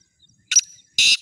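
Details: Black francolin for sale calling at close range: a short scratchy note followed after a gap by one long loud grating burst, with a faint thin whistle in between.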